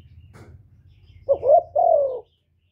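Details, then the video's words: Spotted dove, a decoy bird calling continuously to lure wild doves, gives one clipped phrase: two short rising notes then a longer falling coo, after a faint click and low hum. "CU GÁY LIÊN TỤC KÍCH BỔI RẤT HIỆU QUẢ"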